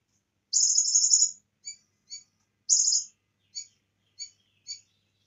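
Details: Bar-winged prinia singing lively song with copied cililin phrases: a long, very high buzzing trill, then short chips, a second shorter trill and three more chips.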